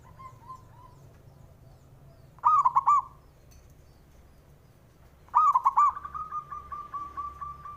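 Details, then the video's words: Male zebra dove calling to draw out rival males: faint soft notes at first, then two clear rolling coo phrases about three seconds apart, the second trailing into a run of quick repeated notes. "SUARANYA🔊 LAGI BANYAK DI CARI UNTUK PENDOBRAK LAWAN JADI EMOSI! BIKIN NYAUT"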